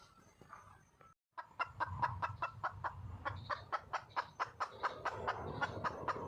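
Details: Wild red junglefowl hen calling for a mate: a dense train of clucks at over two per second following a short silent break, with low rumbling background noise beneath.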